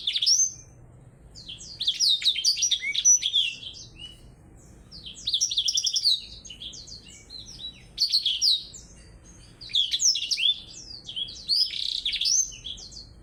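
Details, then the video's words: Blackthroat singing in a contest with a Java sparrow: bursts of rapid, high twittering and sweeping warbled notes, each burst lasting one to two seconds and broken by short pauses, with four or five bursts in all. "BLACKTHROAT VS BURUNG GLATIK BELONG"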